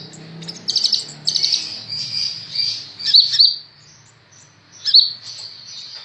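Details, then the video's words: Sunbird called the 'ninja' type, in a recording for tutoring other birds, gives buzzy high trill bursts, then sharp upslurred squeaks separated by short pauses. "Burung Kolibri ninja super gacor cocok buat masteran"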